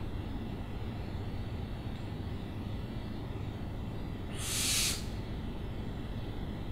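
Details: Owl giving a single harsh, hissing screech of about half a second midway through, against a steady low rumbling background.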